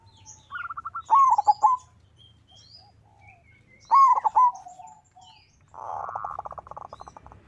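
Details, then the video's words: Local zebra dove singing to draw in rivals and set other doves singing: a quick string of staccato notes leads into a rolling, swooping coo, which is repeated about three seconds later. A rough, buzzy burst and high twitters from other birds follow. "Perkutut lokal gacor suara mengundang lawan Ampuh dijadikan pancingan perkutut lain 100% ikut gacor"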